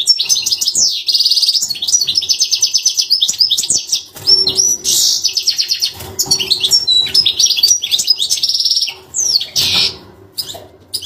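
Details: Continuous goldfinch song for young birds to learn: rapid repeated trills, tinkling twitters and harsh buzzy notes running for eleven seconds with barely a pause, a low hum underneath.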